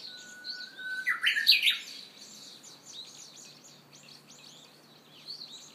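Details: A Japanese bush warbler sings once in early summer in Hiroshima, May 2013: a long, steady whistled note, then a quick rising flourish, the classic 'hoo-hokekyo', with faint high chirps from other birds behind.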